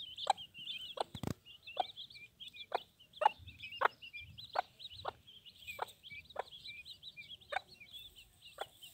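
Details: Mother hen protecting her chicks: a steady stream of high, thin peeping from the chicks runs throughout, punctuated by sharp, short clucks or knocks roughly every half second to second.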